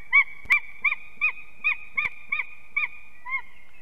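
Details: Nest-camera recording of an unringed eagle pair at Ķemeri, Latvia, morning of 8 March 2024, during arrival and mating; about nine sharp, evenly spaced yelps, roughly two per second, with two brief clicking knocks.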